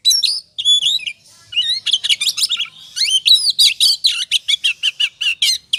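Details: Oriental magpie-robin in 'ngobra' style, used as a lure to provoke other birds into singing: dense run of loud, varied whistles and sharp chirps, many notes rising and falling, ending in rapid, evenly repeated strokes.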